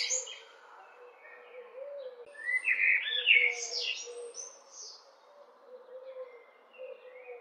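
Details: A common blackbird, sitting and calling for at least five minutes with no answer, gives a burst of sharp, high chattering notes, strongest about a third of the way in, over a steady low hum.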